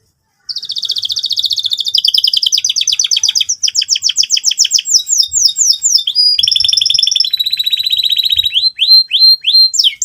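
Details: Canary song meant for young canaries learning to sing, an energetic lure song: continuous rapid high trills and rolls for ten seconds, shifting through several repeated note types, some sweeping downward, with no pauses.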